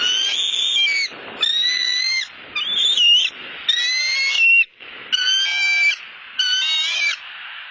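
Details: Bald eagle calling from its nest on a Southwest Florida eagle cam, 12-08-15, described as very hungry: repeated high, thin whistled calls with stacked harmonics, squealing bursts about a second long separated by short pauses, some notes rising and wavering.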